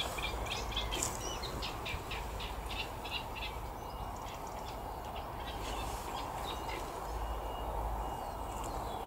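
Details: Reed warbler singing away in a Buddleia bush at Wakeham, a late arrival or early leaver, gives scattered scratchy chattering phrases, denser in the first half, above a constant low background rumble.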